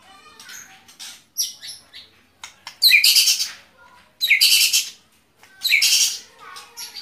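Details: Song of a white-rumped shama with scattered soft notes between three loud, harsh, rasping bursts spaced roughly every one and a half seconds.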